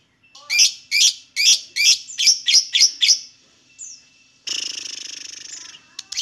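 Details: Lovebird calls used to provoke other lovebirds into singing: a run of about ten sharp, high, harsh chips in quick succession, then a brief pause and a sustained buzzy, rasping trill.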